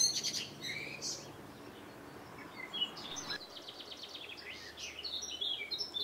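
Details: A great tit boldly defends its nest at a terrace in May 2012, giving harsh, buzzy churring alarm bursts mixed with sharp high chips, with other small birds calling over one another throughout.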